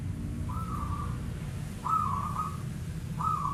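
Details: Local zebra dove heard at night, giving three even, vibrating coos spaced about one and a half seconds apart over a low background drone.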